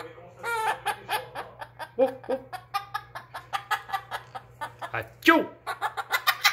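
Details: Blue-crowned conure imitating laughter: a run of short, rhythmic harmonic 'ha' notes, about three per second, with a few lower throaty notes and a sharp squeak near the end, over a steady low hum.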